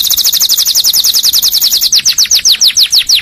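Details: Canary song meant for training and triggering other canaries: a fast trill of high buzzy notes that slows into repeated descending whistled sweeps, about three per second, with no other sounds.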